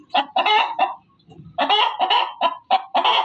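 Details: Loud hen calls: a burst of three rasping cackles, a short lull with low rustling, then a long chain of harsh, evenly spaced clucking squawks.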